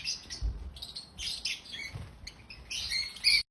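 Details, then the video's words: African lovebirds chirping in harsh, high-pitched bursts, with rapid squeaky notes overlapping throughout and a louder shrill squawk near the end. "African Love birds sounds loud🐦Love birds chirping sounds🐤Happy Love Birds sounds"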